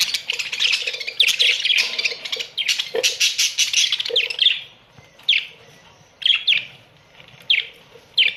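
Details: Australian budgerigars in a colony: a busy opening of overlapping chirps and warbles, then the chatter thins to single sharp chirps spaced one to two seconds apart.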